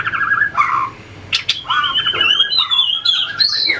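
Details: White-rumped shama trained to sing in contests, tail flicking and hopping along the perch: quavering warbled phrases, sharp clicks, then high wavering whistles rising toward the end, loud and continuous.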